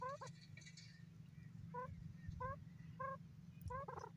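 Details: Grey francolin repeating clear ringing notes with strong overtones at a fairly steady pace of roughly one every half second or so, over a constant low humming background.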